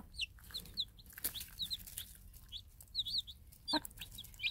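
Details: Day-old free-range chicks, hatched from Minorca-cross eggs under a tame game hen, peep constantly with thin, high, falling chirps in quick succession, with scattered soft rustles and clicks.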